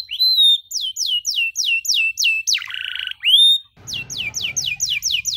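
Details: Canary song for training young canaries, with long rolls and rich phrasing: a string of loud, downward-sweeping whistled notes, a brief buzzy burst, then more repeated descending whistles over a faint low hum.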